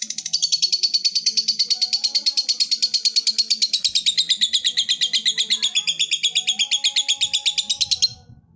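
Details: A lovebird delivers a long ngekek trill to call a rival: a fast, rhythmic string of shrill chattering pulses lasting about eight seconds before ending sharply.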